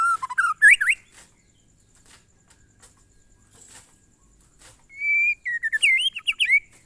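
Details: White-rumped shama (murai batu) in monotonous glondong style: a short run of rising whistles, a long quiet stretch with faint clicks, then a steady whistle followed by quick sweeping notes.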